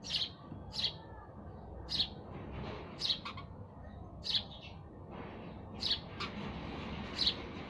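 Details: Sparrow calls as a series of seven sharp chirps at uneven intervals of about one second, some with faint echoing notes, over soft low background sound.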